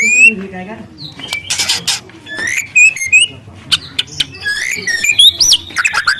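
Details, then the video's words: Free-living young spotted white-rumped shama delivering loud, long canary-style phrases for luring: dense high whistles, quick chips and rattling bursts packed closely together, with brief sliding notes rising toward the end. "Suara asli murai lepas trotol dengan tembakan kenari panjang dan keras"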